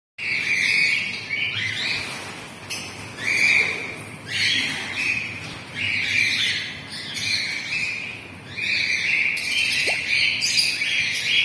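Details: Gray and lutino cockatiels give loud, harsh, screechy squawks in bursts every few seconds, nearly continuous and high-pitched, with no other notable sounds.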